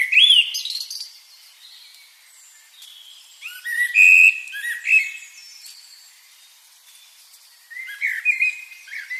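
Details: Bird chirping with a bright whistled note at the start, then clusters of sharp twitters and clear short whistles, fading between bursts.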